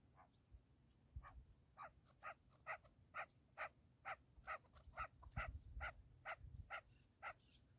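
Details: A single partridge gives clear, evenly spaced harsh notes, roughly two per second, each a brief clucking burst, over a quiet background with low rumbling noise.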